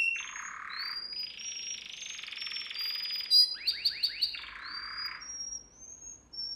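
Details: Canary singing for song training: long rolling trills alternate with a sustained buzzing tour, a short run of four sharp swooping notes and thin high whistles.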